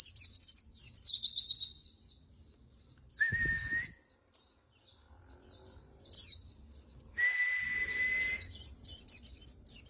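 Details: White-eye (pleci) song for masteran: quick high trills at the start, soft scattered chips, two steady mid-pitched whistles, then bright high warbling at the end.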